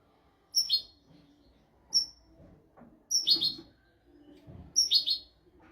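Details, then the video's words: European goldfinch royal-style tutor song for teaching goldfinches and canaries: piercing whistled notes leading into scratchy twittering bursts, four groups over several seconds, with soft low thumps in the background. "تغريد طائر الحسون ملكي حفاضة لتعليم طيور الحسون والكناري بدون أخطاء"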